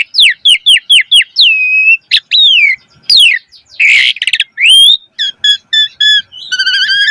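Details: Asian pied starling song played as a lure for caged birds: quick series of repeated downslurred whistles, then long slurred whistles, a harsh burst, and fast stuttering chatter near the end.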